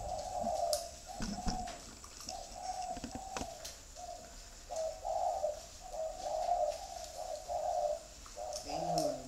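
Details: Soft, low spotted dove coos in short, evenly spaced bursts, fainter than the background clatter, with scattered clicks and knocks throughout and a rising murmur at the end.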